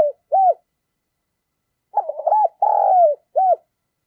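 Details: Caged spotted dove kept as a decoy, cooing to lure and provoke wild doves: two short arched coos, a pause, then a rapid stuttered phrase ending in a long drawn-out falling coo and one final short coo.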